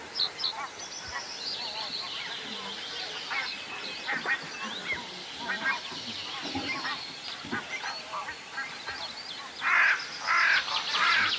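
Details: Whooper swans at Vilkkilänturra, Virolahti, Finland give hoarse, honking, goose-like calls, many overlapping in a steady chatter with louder bursts near the end; one swan calls very strangely, seemingly with something stuck in its throat, and keeps drinking water.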